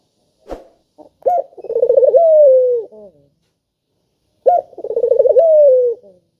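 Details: A persistently calling spotted dove, meant to coax reluctant doves into calling, gives two mellow phrases. Each opens with a bright clipped note, breaks into rapid throaty pulses, then draws out into a long falling coo. Quiet background.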